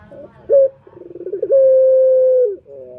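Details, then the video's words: Male puter turtle dove, recorded as a lure for other males: a short bright note, a quick stuttering rattle, then a long steady mid-pitched coo that drops at the end. "Pancingan Puter Jantan"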